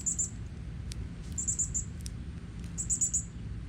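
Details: A father Northern Cardinal feeds his chicks in natural woods in Texas. He gives very high, thin chips in quick bursts of two to four, repeated three times over a low, steady rumble of background noise.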